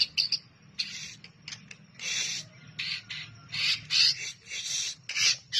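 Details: White-rumped shama masteran recording with harsh, rasping, high-pitched bursts repeated at uneven intervals, separated by short quiet gaps, over a faint low hum.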